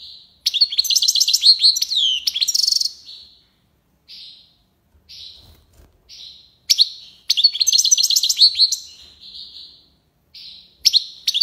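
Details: Algerian goldfinch in the tiwawati singing style delivers two bursts of fast liquid twittering with trills, separated by single short nasal call notes spaced about a second apart.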